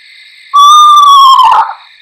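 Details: Eastern Screech-Owl whinny, which can be heard outside at night: one long, pure, whistled note that holds steady for about a second, then wavers and drops at the end, over a faint steady background tone.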